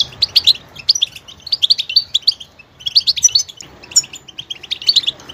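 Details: Rapid, tinkling goldfinch twitters and high chirps run in two main bursts split by a brief pause near three and a half seconds.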